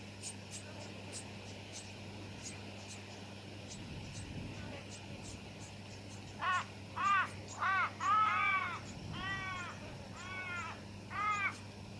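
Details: Brown-headed honeyeater (Melithreptus brevirostris pallidiceps), Victoria, Australia, December 2017, giving a series of seven harsh, rasping notes, each arched in pitch, about one per second, after faint high ticking and a low background hum.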